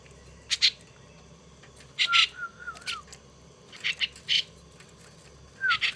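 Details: Hand-raised young starling, a gift now kept as a pet, gives paired harsh noisy bursts at irregular intervals. A thin wavering whistled phrase weaves in near the middle.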